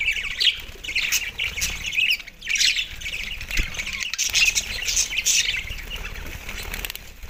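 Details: Budgies feeding on soft food in December 2023, sending out harsh squawky chirps and chatter in waves, together with rustling and pecking noises.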